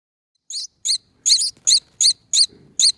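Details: Two rescued baby finches, hatched in a nest on a front door wreath, being fed by hand: short, high, squeaky chirps repeated about every half second in a steady series, with a quiet background.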